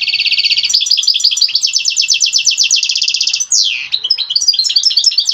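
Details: European goldfinch singing a mating call meant to stimulate a female ready to breed: a rapid, tinkling twitter of high notes, a long run of fast repeated trills, then a sharp downward sweep and varied chirps.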